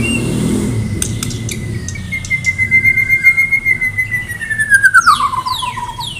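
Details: Medan white-rumped shama in full contest-ready song, delivering a long sustained whistle that slowly descends, with scattered clicks and a rhythmic pulsing undertone.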